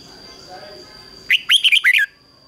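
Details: Red-whiskered bulbul, a trained decoy bird singing to lure wild birds: one short phrase of five or six loud, slurred whistled notes after quiet background, with a steady high electronic whine throughout.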